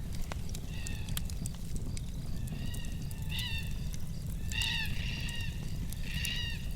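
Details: In the last days of winter, several distant drawn-out, wailing, slightly rising calls that the speaker thinks might be Carnaby's black cockatoos, up in trees behind him, over a steady low rumble and sharp crackling clicks.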